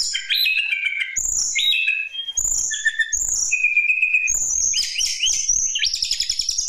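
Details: Lesser shortwing song, a recording used to lure other birds into singing: quick high whistled phrases and short trills jumping between pitches, some notes falling, with brief clicking bursts between phrases.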